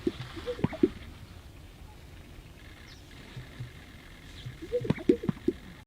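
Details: A sage grouse in the sagebrush of western North America gives two courtship bursts of hollow, bubbling pops to attract females, each under a second and about four seconds apart, over a steady low hiss.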